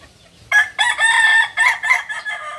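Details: Loud crow of a Solok, West Sumatra native kukuak balenggek rooster, broken into several harsh, ringing bursts of uneven length, the last ones softer and trailing away.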